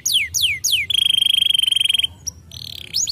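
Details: Canary song for stimulating other birds to sing: three fast downward-sweeping whistles, then a long rapid trill of even repeated notes, a brief pause, and buzzy rising notes at the end.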